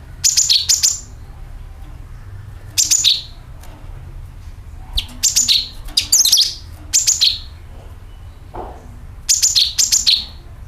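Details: Sooty-headed bulbul call used as a lure to attract birds: short bursts of two or three sharp chirps, each sliding down from a high note to a lower one, repeated every second or two against quiet low hum.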